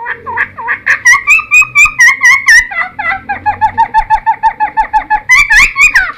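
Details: Cucak timor singing as a lure and teaching sound for caught birds: changing phrases of quick repeated whistles, high trills giving way to a lower rapid series, then a soaring rising end.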